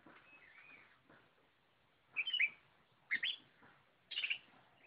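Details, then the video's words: Oriental magpie-robin (kacer) in full gacor singing, heard over steady background hiss: a soft looping whistle first, then three loud short bursts of harsh, bright chattering notes about a second apart. "Burung kacer Lot Full Gacor"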